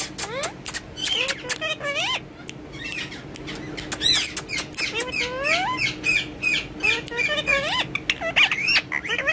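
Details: Ringneck parakeet having fun and talking in Urdu and Hindi near a mobile phone: a steady chatter of upward-sweeping, looping syllables mixed with short clicks and squawks.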